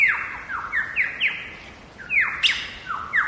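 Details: Wild lyrebird from Megalong Valley in Australia's Blue Mountains pouring out a fast series of bright, descending whistled sweeps, roughly one every half second, some overlapping, loud and clear.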